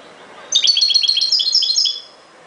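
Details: Ghoroub-style song of a European goldfinch: one phrase of about one and a half seconds made of quick, liquid, high-pitched twittered notes tumbling over one another.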